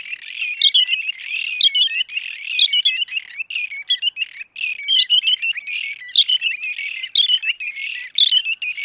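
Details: A red-and-white barbet in Somalia gives loud, harsh chattering calls: rapid, scratchy notes in dense, jumbled bursts about once a second, almost without pause.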